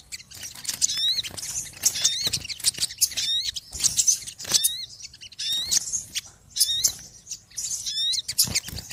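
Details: A crowd of small, noisy birds calling, giving rapid groups of thin, high chirps with curling hooked notes, roughly every second, over soft low background rumble.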